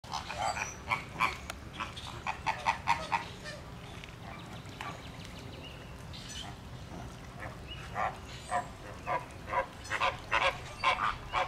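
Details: A loud flock of Caribbean and Greater Flamingos, with fights breaking out, giving dense overlapping honking and grunting calls in irregular bursts over steady background noise.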